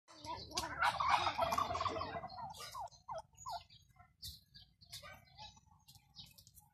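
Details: Pet turkeys give a loud, rapid rattling gobble lasting about two seconds, followed by scattered shorter clucks and yelps from the flock.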